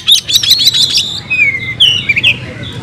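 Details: Oriental magpie-robin, a caged bird in fighting-style song: a short burst of busy high trills followed by several sliding, clear whistled notes that dip and rise, over a faint low hum.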